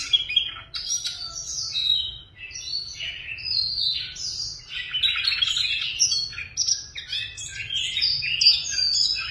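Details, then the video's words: Cage-kept Siberian rubythroat singing a lively, varied warble of quick high whistles, scratchy notes and trilled phrases, with a brief dip after two seconds before continuing; faint low hum in the background. "Oanh cổ đỏ thuần lồng cực hay cực đẹp"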